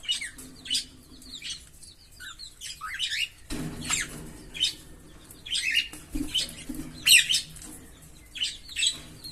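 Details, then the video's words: A green Fischer's lovebird pair chirps steadily: shrill, high chirps and short rasping notes follow in quick irregular succession, with brief gaps between the clusters. "Lovebird Singing & Chirping Sounds"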